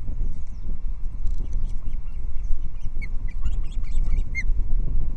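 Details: Loch Arkaig osprey nest, morning of 14 Jul 2022, as nest moss and fish arrive; a burst of thin, high whistled chirps in quick succession, loudest near the end, with strong wind buffeting below.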